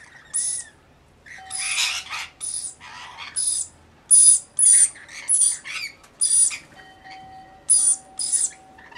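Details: Flock of about 40 Rainbow Lorikeets tending one baby, in a mixed flock: rapid, grating screeches repeated in quick bursts, with a faint steady whistle-like tone running underneath in places.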